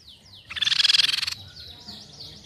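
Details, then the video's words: Crescent-chested babbler call used as a lure, a rapid, dense trill of about a dozen pulses lasting under a second, with soft descending whistles from other birds before and after. "PANCINGAN BUNYI TEPUS PIPI PERAK"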